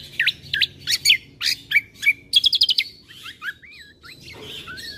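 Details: Combo bulbul song meant to make birds agitated and noisy: loud V-shaped chirps, a quick stutter of repeated notes, then wavy whistled phrases fading out.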